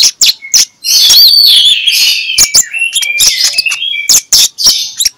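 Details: Ngeplong-style Oriental magpie-robin song played in the morning as a lure to get quiet magpie-robins singing. A long continuous warbled phrase of high whistles is broken by rapid, repeated clicking notes.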